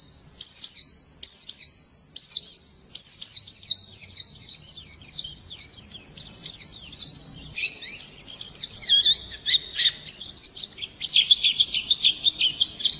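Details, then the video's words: Long morning song from a Swinhoe's white-eye: high, thin twittering phrases start as separate short bursts, then run together into a fast, jumbled warble with quick descending and rising slurs over thirteen seconds. "Nghe chim khuyên hót hay mỗi sáng"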